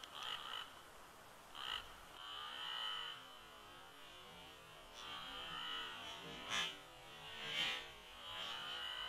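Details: Wild bald eagle pair calling together at midnight at their nest at Big Bear Lake, California, on a windy late-November night before a snowstorm; bursts of thin, high, squeaky chattering notes come about once a second over steady wind hiss.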